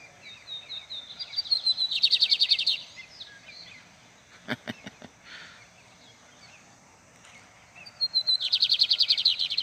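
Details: Bigodinho, the lined seedeater, a breeder's bird in full form, gives two bursts of high buzzy trilled song several seconds apart, with faint clicks and knocks between them and quiet surroundings.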